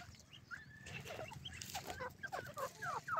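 Golden pheasant giving a rapid run of short, harsh, downslurred clucking notes that quicken toward the end, over a low steady rumble.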